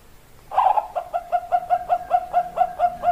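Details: Female Bangkok zebra dove calling to a male: a quieter, slightly more distant run of short repeated coos on one pitch, about four per second, over faint background hiss.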